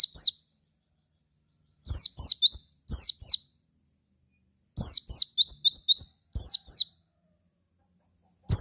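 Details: Lure song of a Javan white-eye to make others sing back, delivered as repeated short bursts of fast high twittering notes, some rising in quick series, separated by pauses of about a second.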